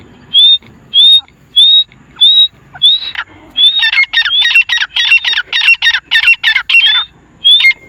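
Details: Wild grey francolins (teetar), four birds, calling: loud, clear whistled notes rising in pitch, first given singly about every half second, then run together into a fast, excited series of ringing, slightly harsh notes, with one more whistle at the end.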